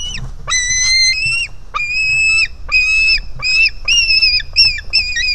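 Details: Begging White-tailed Eagle chick at the nest jumping toward its mother, hungry: rapid run of piercing whistled squeals, short and long, repeated almost without pause, rising in intensity toward the end.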